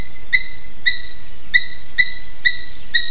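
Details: Eurasian hobby adults visiting the nest in Slītere National Park, Latvia, on a June morning: a series of sharp, clear, high whistled notes repeated about every half second, with steady background hiss.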